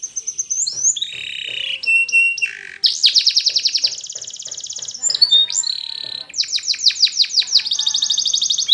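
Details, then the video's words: Spanish Timbrado canary delivering a varied training song: slurred whistles, rattling bursts, a dense buzzing trill and clipped repeated notes that change pace every second or two. "Timbrado Canary's Most Powerful Singing For Training"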